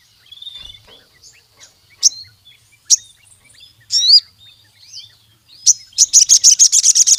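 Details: Sogon songbird singing in an energetic style said to challenge rivals: thin high whistles and sharp chirps, then a fast rattling trill of about ten rapid notes at the end.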